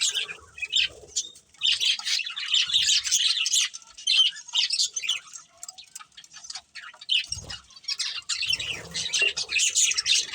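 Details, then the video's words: Chattering from a breeding pair of budgerigars kept as pets: busy stream of short high scratchy chirps and clicks, denser at start and end, with a quieter patch midway and a few low thumps. "Cute Budgies Chirping Sounds | Love Birds Breeding Pair"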